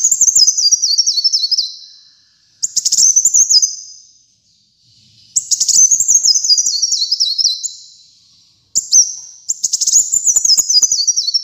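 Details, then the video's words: Kolibri muncang, known in English as brown-throated sunbird, singing hard: several long high phrases of staccato chips and zigzag descending trills, each tapering off before a pause, repeated about four times. "Kolibri Muncang Gacor Dor"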